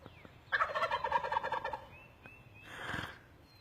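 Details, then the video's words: A turkey perched in a tree, among several, lets out a loud, rapid rattling gobble lasting over a second, falling slightly in pitch, followed by a softer breathy rush of sound. "Turkeys in trees making sounds"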